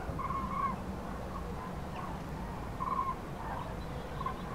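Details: Common cranes on spring migration over central France, 5 March 2016, in the afternoon, with many flocks broken up by bad weather. Distant trumpeting calls near one pitch come in short bursts about every one to two seconds over steady low rumbling wind.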